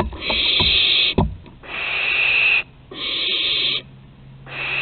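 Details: Barn owl juveniles at Théding, 21 September 2020, as they learn to fly: long rasping hissed screeches, each about a second long, separated by brief pauses, with a few thumps early on.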